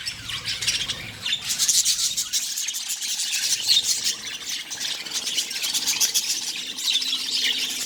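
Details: Budgies breeding in a colony, colourful chicks in one nest; unbroken high chirping and scratchy chatter from many birds at an even level.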